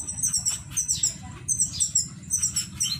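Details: Several finches in an aviary in Indramayu, Indonesia, give high, thin chirps and twitters in overlapping bursts about every half second over a steady low hum.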